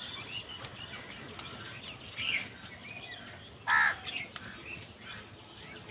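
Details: Crows calling while fighting for food: a harsh, hoarse caw near the middle, another fainter caw earlier, over a busy outdoor background with other faint bird chirps.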